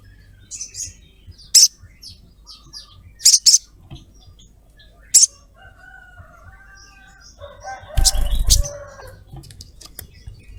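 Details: Ruby-throated myzornis female calling a male with sharp scratchy high notes spaced a second or two apart, then a louder noisy burst of mixed chirping and rustling near the end.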